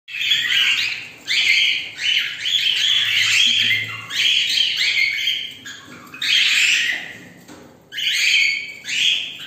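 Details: Several cockatiels singing together at the start of the day, in bright, harsh, warbling bursts with brief pauses between.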